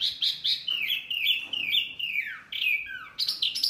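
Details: Wambi bird giving a noisy call that provokes other birds: quick whistled notes, then a wavering sustained whistle that slides down, followed by a few more sharp notes, with a faint background hiss.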